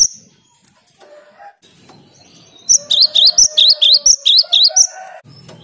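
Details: After a quiet start, a cinereous tit bursts into about ten crisp, high rising notes at a steady pace over a faint, steady low tone. The clear 'gacor' song is meant to provoke rival birds.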